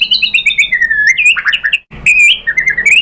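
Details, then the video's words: White-rumped shama (murai batu) in constant song with mimicked filler, played to lure other shamas into answering; bright high whistles in quick sweeps, a short break, then more rising whistled phrases. "MURAI BATU lain jadi NYAUT ikut BUNYI GACOR BONGKAR MATERI ISIAN ¦ PANCINGAN MURAI SHAMA BIRD"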